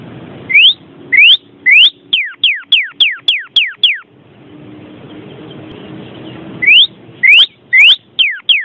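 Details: Vermilion cardinal calling with loud, clear whistled slurs: a few rising notes, then a rapid series of about eight falling whistles, a pause with faint low hum, then more rising and falling whistles.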